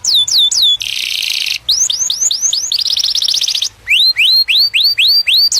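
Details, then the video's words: Courting canary singing to attract a mate, delivering a series of high descending then rising whistled slurs about four per second, a dense buzzy rattle, and a fast trill before more rising whistles. "كناري يغرد لتزاوج #Kanarya çiftleşmek için cıvıldıyor #Canario chirría para aparearse"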